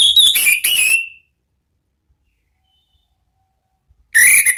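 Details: Orange-headed thrush singing ngeplong style to lure other birds: a loud phrase of warbled whistles ending in a falling slur, three seconds of silence, then another strong whistled phrase begins.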